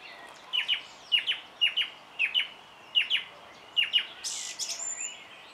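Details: Song thrush repeating one crisp double-note phrase six times at a steady half-second rhythm, then switching to a harsher buzzy high phrase followed by a thin whistle.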